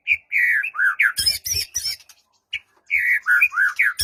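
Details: White-rumped shama song aimed at getting a silent shama to reply, for morning or afternoon: loud fluty slurred whistles, a cluster of harsh scratchy notes, a brief pause, then more mellow sliding whistles.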